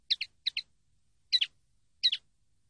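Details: Song of a common linnet, taken from a training CD: quick paired chirps in four bursts, the first two close together, then two louder twittering doublets after short pauses, with nothing else audible.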